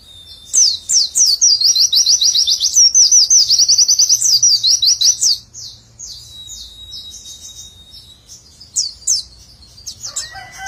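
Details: Pleci (white-eye) singing nembak with a tight 'witwitwit' joined to ngecer trilling: about five seconds of loud, very quick, high warbled notes. A quieter stretch follows with a thin, steady whistle and scattered chirps.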